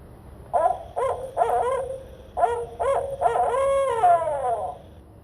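A Barred Owl gives its rhythmic series of hoots, ending in a long, drawn-out descending note.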